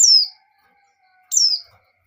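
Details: A female white-eye in breeding condition calls the male: two piercing high whistles, each falling steeply in pitch, separated by just over a second of quiet.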